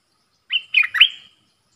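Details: A single short phrase from a caged bulbul dueling in song with wild birds, ดอกแตง style, 3 October 2021: three quick liquid whistled notes, the last one slurred and trailing off.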